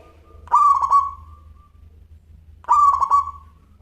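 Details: Local zebra dove singing actively with a clear voice: two short cooing phrases about two seconds apart, each a quick burst of three or four pulsed notes that trails off into a fading tone, over a steady low hum.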